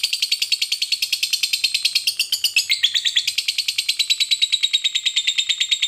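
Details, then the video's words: Lovebird of the fighter type giving a long ngekek chatter used to provoke rival lovebirds into singing: rapid, steady run of shrill, high-pitched chirps, about eight notes per second, dipping briefly near the middle, with no other clear sounds. "pancingan Lovebird fighter ngekek panjang, jitu memancing emosi lovebirds, lawan jadi cepat bunyi"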